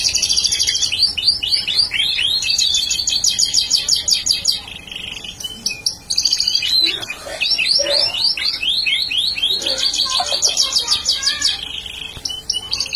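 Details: Bar-winged prinia singing energetically, recorded as a potential bird-luring sound; loud, rapid, high chipping notes in long repeated bursts, broken by short pauses, with some lower scratchy, rougher notes in the middle.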